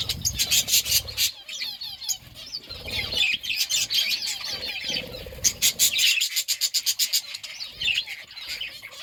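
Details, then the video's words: Parakeet eating fruit and chirping: fast high twittering with short warbled notes and bursts of rapid chirps, mixed with occasional low rustles or wing flutters. "Parakeet eating fruit and chirping sounds"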